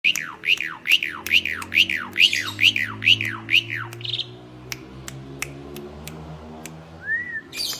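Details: Kept Asian pied starling in gacor mompa style: eight loud, clear descending calls repeated about every half second. They then stop, leaving sharp clicks, a low hum and one short rising note near the end.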